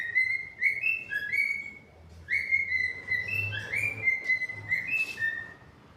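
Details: Pet cockatiels whistle continuously: clear slurred notes, some rising and some falling, chained into a lively warbling sequence with a faint low hum beneath.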